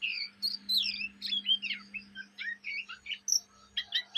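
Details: Oriental magpie-robin youngster, a kept bird, chattering by day and night. Rapid jumbled sequence of squeaky, twisting whistles and short chips, dense and continuous, with a low electrical hum below.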